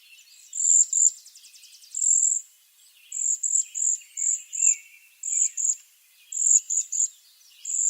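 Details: Waxwing uttering short, very high trilled calls, often in quick pairs, repeated about every second in a clean, quiet setting.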